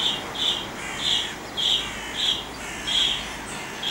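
A Fieldfare gives short, high, rasping notes, about seven in four seconds at an uneven pace, over a faint steady hiss.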